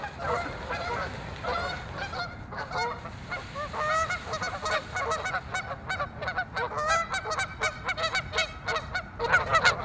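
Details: Canada geese in a territorial skirmish at Waveland Lake on Chicago's North Side, several birds honking loudly and continuously, with harsh overlapping nasal honks building in density toward the end.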